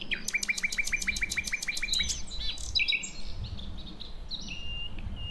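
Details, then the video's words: Nightingale, a wild female from Javan and Acehnese forest calling the male, used to lure young birds: a fast string of about fifteen sharp repeated chirps, then varied whistles, over a low rumbling background. "Nightingale Bird Singing - Suara Kicau Burung Sikatan Londo Kipas Rimba Emas"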